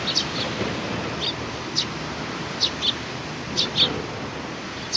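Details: Greeting sparrows on 27 July 2020 giving scattered short high chirps, some doubled, over a broad rushing background hiss.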